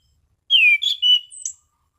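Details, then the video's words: Single short phrase from a caged Orange-sided thrush in relaxed "ngeplong" style: a loud, clear whistle sliding down, then two steadier whistled notes and a high thin note at the end. "Burung Anis Cendana Ngeplong Santai"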